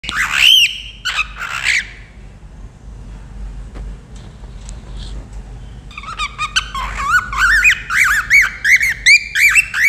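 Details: A happy cockatiel gives loud, bright whistles and chirps, first in a few bursts, then a rapid run.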